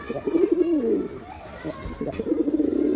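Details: Male pigeon performing, giving loud rolling coos: warbling, wavering phrases low in pitch, a first run of about a second, a brief pause, then a second burst of rapid pulsing coos, recorded indoors with faint background noise.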